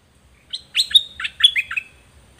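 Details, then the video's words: Pet zebra finch recorded as a singing model for young birds: a brief phrase of bright, buzzy notes, several stacked and ringing, then trailing away. "เสียงนกดอกแตงเจ้าเพชรกับเจ้ามณี เสียงใหม่ล่าสุด2020ไว้สำหรับต่อ ใช้หัดลูกนกให้ร้องตาม"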